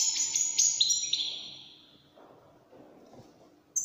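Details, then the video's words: Goldfinch in the Moroccan Wydani style gives a quick burst of high, buzzy twittering notes that trails off after about a second and a half, followed by near silence and a final short chirp. "الحسون الويداني الملك الذي يستحق استماع وتمتع في ادائه في التغاريد الويدانية المغربية"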